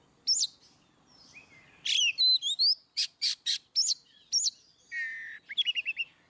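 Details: Oriental magpie-robin singing ngeplong, aimed at birds that rarely sing: clear whistles and rising slurs, a cluster of loud harsh bursts, then a falling trill of quick repeated notes at the end; otherwise quiet.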